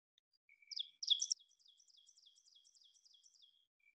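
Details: Ovenbird (Seiurus aurocapilla) song, remembered as 'teacher teacher teacher' and getting louder as it progresses: a thin high note, then a loud burst of rapid, high chanting phrases repeated several times a second, trailing off softer toward the end.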